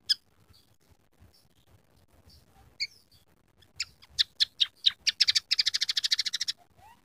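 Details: Scaly-breasted munia in a song filled with canary and sparrow sounds: scattered sharp chips that speed up into a long, loud, fast rattling trill, closing with a soft falling whistle, over a low background hum.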